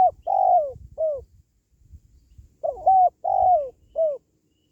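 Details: Spotted dove coos played to encourage pet doves at home or lure wild doves for trapping: two phrases of soft mellow notes, each ending in a long falling coo and a clipped final note, faint low rumble beneath.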